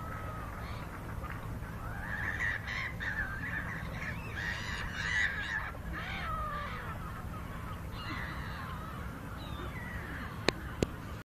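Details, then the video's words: Seaside gulls on the Sea of Marmara giving a run of harsh, repeated calls through the first half, thinning out later, over a constant low roar with two sharp clicks near the end. "Seagulls at seaside"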